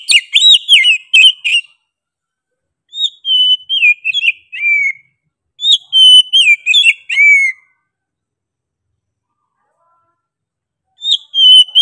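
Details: Oriental magpie-robin singing hard with a sharp, insistent voice. Sweet whistled phrases, several ending in falling slurs, come in three spaced bursts with long silent pauses between them. A short whistle opens another phrase at the very end.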